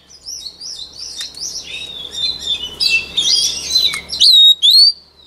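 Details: Voice-training song of a white-rumped shama: varied whistles and twittering phrases building in loudness over a low hum, then two loud, clean, sweeping whistled notes in near silence.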